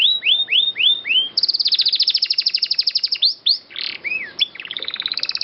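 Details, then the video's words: Training recording of a canary with a long clear roll: a few looping upslurred whistles, then a fast rattling trill lasting about two seconds, followed by swooping notes and another buzzy trill. "MASTERAN BURUNG KENARI GACOR NGEROLL PANJANG SUARA JERNIH"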